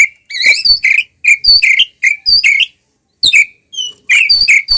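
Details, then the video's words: Oriental magpie-robin in vigorous combative song, tail open, meant to agitate rival birds; clumps of buzzy, slurred whistles delivered in short bursts separated by brief pauses. "SUARA BURUNG kacer gacor NGEPLONG TARUNG BUKA EKOR ini paling AMPUH buat PANCINGAN KACER agar EMOSI"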